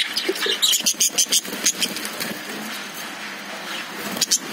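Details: Caged lovebirds give a fast run of clipped, high pulsed chirps. Quieter twittering follows, and one last sharp burst comes near the end.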